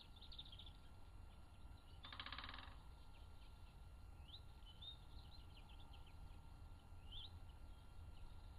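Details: Male great spotted woodpecker drumming in a spring wood in fine weather: one rapid roll of evenly spaced knocks lasting under a second, surrounded by the thin chirps and trills of other woodland birds singing.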